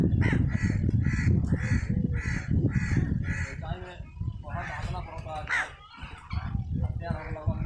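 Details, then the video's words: Feeding crow, squirrel nearby, gives a fast run of harsh caws, roughly two or three per second, then scattered raspy calls, all against a loud low-pitched rumble of wind or handling. "crow bird sound ll crow eating"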